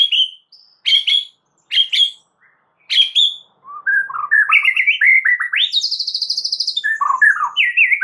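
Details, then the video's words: White-rumped shama lure song, meant to make other shamas answer at once. Short whistled phrases are separated by pauses, then give way to a rapid varied run of chattering, rising and falling whistled notes. "dengar PANCINGAN murai Batu ini dengan CEPAT murai anda langsung NYAUT seketika"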